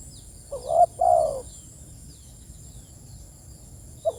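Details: Spotted dove calling its companions gives one clear double coo, a short rising note then a longer descending one, followed by silence and the start of another coo.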